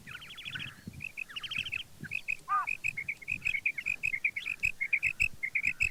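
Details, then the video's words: Female common quail (batair) calling: a rapid, uneven series of short, high, clipped notes running steadily, preceded by a few harsh, raspy, buzzy bursts near the start, with faint low rustling underneath. "Female Quail Calling|Maadi Batair Ki kirk ki Awaz| Female Batair Calling|karkari maadi Batair K Awaz"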